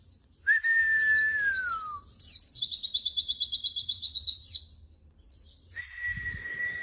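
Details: Pleci (white-eye) tutor song: a long, steady whistle slowly falling in pitch, then sharp downslurred chirps, a fast buzzy trill of about twenty notes, and another plain whistle near the end.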